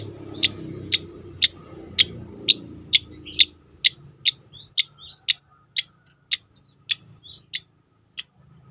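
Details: Tembakan-style song of a striated grassbird, used for training and provoking other birds: a long run of crisp, snapping notes about twice a second, later mixed with short upslurred whistles and a few rising chirps.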